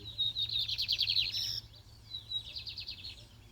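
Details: Lined seedeater competing in a singing contest: a loud, fast, high twittering trill that breaks off abruptly, then resumes more softly as a quieter buzzy phrase over a constant low hum.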